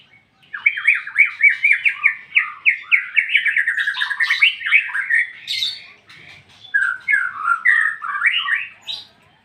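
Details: Ngeplong-style song of a white-rumped shama, a long fast string of loud, fluty slurred whistles that shift in pitch, a brief pause, then another burst of rolling, warbled phrases.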